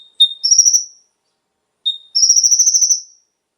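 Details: Konin singing as a lure to set captive birds singing; two phrases, each a brief steady lower whistle followed by a rapid, pulsed, high trill, the second longer, in otherwise silent background.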